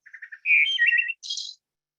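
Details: A Wood Thrush, a robin cousin of wooded areas around Larchmont, Westchester, present May to September and wintering in Belize, sings one flute-like phrase: a few soft low notes, a rich fluted middle, then a high, buzzy trill.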